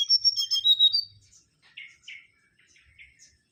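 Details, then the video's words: Mangrove whistler (Pachycephala grisola) in full song: a fast run of clear whistled notes switching between high and lower pitches for about a second, followed by softer, scattered whistled notes with pauses. "Kancilan Bakau Gacor"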